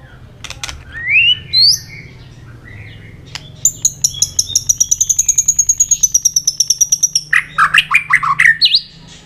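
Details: White-rumped shama in competitive, many-voiced singing: a rising whistle, then a long rapid series of about thirty even notes held high, ending in a burst of varied chattering phrases.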